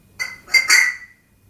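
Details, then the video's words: Pet African grey parrot indoors making a sound effect: three quick, high, harsh whistled notes, the last one longer and slowly fading. "African Grey Parrot Called Deka - Talking & Making Funny Sound FX"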